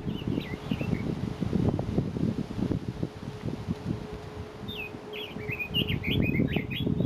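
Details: Red-billed leiothrix, an invasive alien wild bird, recorded on Mount Kanuki, Numazu, Shizuoka, Japan: a short high note early on, then a fast run of bright, slurred warbling phrases over rustling and a low steady hum.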